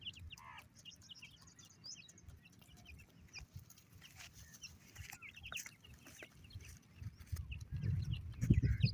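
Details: Iranian partridge (teetar) chicks calling for their mother give short, high peeping chirps in quick, irregular succession, over a steady low rumble and some knocking noises.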